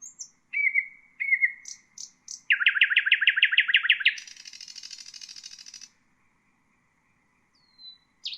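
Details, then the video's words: Nightingale song meant for bulbuls and songbirds to learn: high whistles, then a fast run of about twenty loud chipping notes, a long high buzzy trill, a pause, and a falling whistle. "تغريد طائر العندليب لتسميع البلبل و والطيور المغرده"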